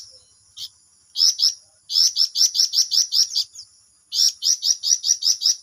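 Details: Flamboyan bird delivering ngerol song: scattered opening notes build into two long bursts of bright, high-pitched chirps repeated about three per second, separated by a short silence.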